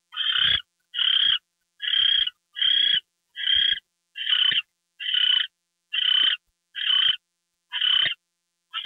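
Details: Nighttime owl calls around a gopher delivery, February 2, 2013: eleven hoarse, hissing bursts in quick, fairly regular succession, each under half a second, over a quiet background.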